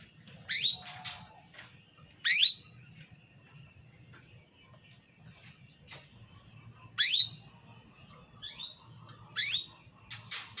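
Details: Female canary calling the male, a lure meant to stir males into full song. Sharp upward-sweeping calls, high and piercing, come at irregular gaps of roughly two to five seconds over a constant faint high hum.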